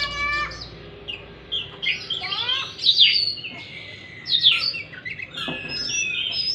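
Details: Oriental magpie-robin song to encourage a stressed, silent bird: stacked whistled notes, rising buzzy trills and sharp chips in irregular bursts.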